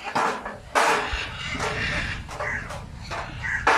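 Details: Macaw parrot in a group giving loud, harsh, raspy squawks in repeated broadband bursts, several strong screeches spaced roughly half a second to a second apart, with a low background rumble.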